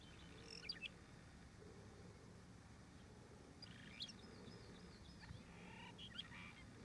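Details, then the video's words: A Phainopepla (the mistletoe bird) sings soft, brief bursts of whistled and chattery notes, three short phrases a couple of seconds apart, over a steady low rumble of wind. "Phainopepla singing"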